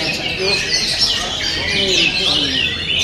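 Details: Brief burst from an oriental magpie-robin: rapid, overlapping whistled phrases and chirps, some swooping up and down, delivered without pause.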